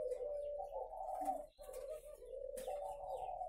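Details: Captive spotted dove at a Vietnamese breeding farm in Ba Vi, cooing quietly and steadily in low, hollow, slightly wavering notes with a brief pause midway, in a calm indoor setting.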